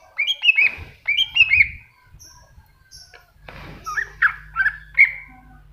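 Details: Greater green leafbird, cucak hijau, masteran style: two quick phrases of bright falling whistles, a quieter pause, then loud sliding chirps over a steady low hum.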